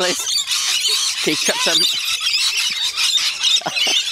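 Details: Rainbow lorikeets crowd in at a feeding session at Bungalow Bay Koala Village, north-east Magnetic Island off Townsville, Queensland, Australia: a dense wall of shrill overlapping screeches, with people talking in the foreground.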